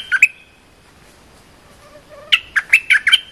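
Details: Cream-vented bulbul training song for juvenile birds: two bright chirps, a pause with faint low notes, then a brisk phrase of about five bubbling, warbled notes.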